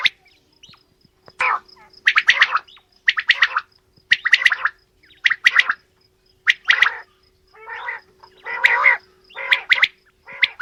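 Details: Female and male quail sounding off together, clusters of rapid rough chattering notes alternating with longer hoarse calls, separated by brief pauses; faint electrical hum beneath.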